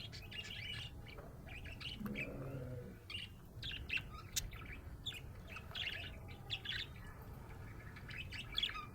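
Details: A happy budgerigar chatters in soft, scratchy warbles and short tweets, mostly steady, with a brief low murmur partway through and a louder sharp chirp near the end.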